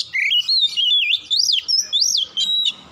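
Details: Loud, close Oriental magpie-robin song at dusk, a fast series of rich whistles with sweeping up-and-down slurs, about six notes in three seconds.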